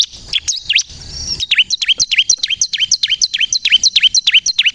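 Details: Bar-winged prinia in full song, played to lure birds and trigger untrained prinias to sing excitedly: after a few broken notes and a short hiss, steady downward-sweeping chirps come about three per second.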